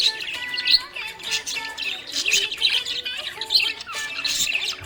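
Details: Happy budgerigar chirping: dense, scratchy high chirps and chatter that come in quick bursts almost without pause, over a steady background of music.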